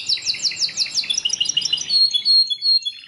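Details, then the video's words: Belgian canary song with a quick run of repeated sweeping high notes flowing into rolling trills and thin sustained whistles. "O canto canário mais espetacular #85 - OUÇA ISSO e seu CANÁRIO BELGA VAI CANTAR MUITO!"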